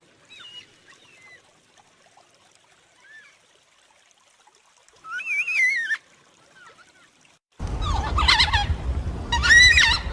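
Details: Yellow-tailed black cockatoo contact calls: faint, scattered, distant wails, then one clear rising-falling cry. Two loud, harsh wailing calls close the sequence over louder background noise.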